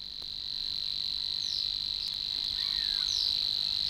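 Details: Savi's warbler in the Matsalu reed beds, Estonia (1979 field recording), reels in a steady, fast, insect-like buzz, unbroken and level throughout, with faint brief notes from other birds behind it.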